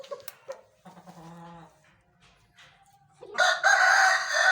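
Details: Aseel rooster crow: a few soft clucks and quiet calls at first, then a loud, strained, rising crow bursts in over the final second and a half, cut off at the end.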